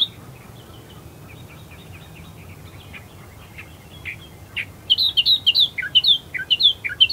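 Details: Australian Reed-Warbler among reeds at first light, Herdsman Lake, Perth, Western Australia: soft distant chirping at first, then from about four seconds a loud series of sharp, high, downward-slurred notes repeated rapidly.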